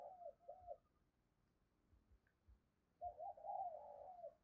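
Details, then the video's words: Spotted dove decoy bird giving energetic gáy thúc and gù coos: soft arched hoots at first, then a longer run of joined, wavering coos after a pause, faint against a low background hum. "Tiếng Chim Cu Gáy Thúc Và Gù Cực Sung"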